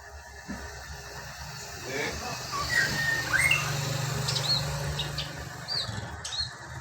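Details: Lesser racket-tailed drongo, a caged female, delivering its wild-style ngalas song: scattered sharp whistles, short slurs and high chips spread through the recording, with a constant low hum and faint voices behind.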